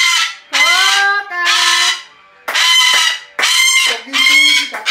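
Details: Raucous screams from a 23-year-old rescued female Umbrella cockatoo living as a household pet. About five grating, drawn-out squawks, some with a lower tonal edge, come in irregular bursts.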